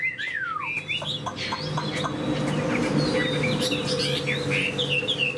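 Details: A kept fan-tailed Chinese hwamei, said to be a strong fighter, sings a rich, varied run of clear whistles and sweeping slurred notes, with a steady low hum and some background clatter.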